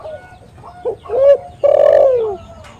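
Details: Spotted dove (tekukur) lure call: a few short clipped notes build into two longer, smooth, hollow coos, the last one sustained and slowly falling.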